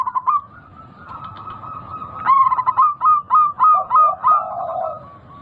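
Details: Local zebra dove with a big voice, used to break a bird's silence: soft coos, then loud rhythmic pulsed coos about three per second, closing with a lower buzzy note.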